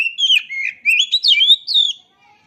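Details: Oriental magpie-robin song, offered as a master recording to coax silent kept birds into singing: a quick run of clear, varied whistled notes, some sliding and slurred, in short bursts over two seconds, then fading to quiet.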